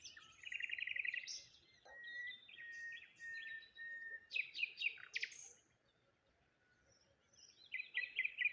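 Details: Birds chirping in the morning near water by a lone tree and rose hips: varied high chirps, a rapid trilled burst, thin whistles and clustered notes from several birds, with quiet gaps and soft background noise.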